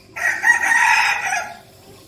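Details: Red junglefowl kept as a decoy bird, crowing one drawn-out, hoarse, steady note of about a second and a half that trails off and falls at the end.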